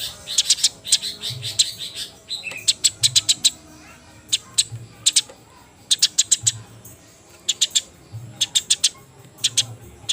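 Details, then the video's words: Wet Eurasian tree sparrows in a late-afternoon fight, before dusk, chatter in bursts of fast sharp chirps, runs of four to seven notes recurring every second or two, over a low hum. "Burung Gereja tarung gacor posisi basah menjelang magrib"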